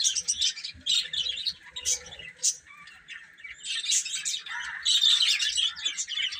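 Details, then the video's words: Chicks feeding and playing produce choppy groups of high, thin peeps separated by brief quieter gaps, the chorus swelling to a louder continuous twitter toward the end. "Baby Chicken Chirping Sounds"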